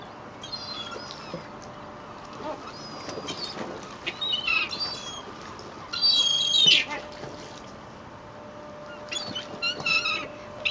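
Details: Rowdy gulls fed bread at Fleetwood Docks on a sunny day, seen from a boat's stern deck: scattered high squealing calls in short bursts between quieter gaps, over a faint hum.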